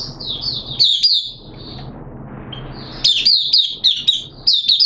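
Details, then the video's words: A captive oriental white-eye on its 2nd day of a monthly deworming treatment, 13 September 2022, sings a rapid, high twittering of thin sliding notes, pausing briefly before resuming in quick bursts. "Mata Puteh T Rex Buka Sing"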